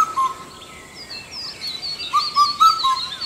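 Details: Indian cuckoo singing: a four-note whistled phrase, level and mid-pitched, with the notes evenly spaced over about a second. A partial phrase opens the recording, and higher chirps from other birds run behind it.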